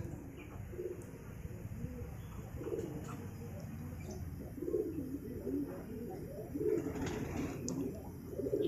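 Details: Domestic pigeons kept by a hobbyist in lofts in Purwokerto, some nesting, give low rolling coos about every two seconds. Several birds overlap, with faint chirps of caged songbirds kept nearby.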